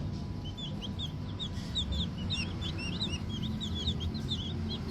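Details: Green junglefowl chicks, young and small, giving many short high peeping chirps, rising and falling, overlapping in a busy continuous stream over a steady low rumble.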